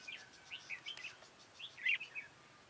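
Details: Red-whiskered bulbul at a trapping session with a decoy bird, 1 October 2018: short bursts of bubbly, warbled notes in two phrases, with a faint steady background hiss.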